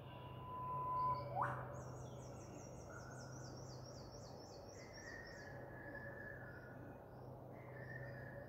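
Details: An Eastern whipbird in Queensland, Australia, gives a long, steady whistle ending in a sharp whip-crack snap, followed by another bird's high, rapid trill over a low background hum.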